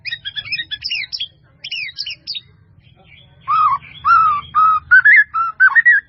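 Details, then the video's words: White-rumped shama, a masteran recording: high rapid twittering notes at first, then a lower sequence of warbled whistled phrases rising and falling, repeated about twice a second. "MASTERAN MURAI BATU FULL ISIAN || SUARA MURAI BATU MERDU"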